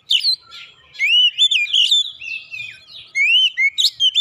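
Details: Oriental magpie-robin (kacer) singing a lure song meant to provoke other birds into singing, agitated and unloading its mimicked repertoire: loud whistled slurs, rising and falling, with sharp high chips between bursts and brief pauses.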